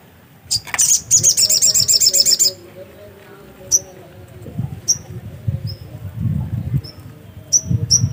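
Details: Black-capped white-eye bursting into a rapid, high, ringing twitter for about two seconds, followed by sparse single thin whistled notes at irregular intervals, with low murmuring noise beneath.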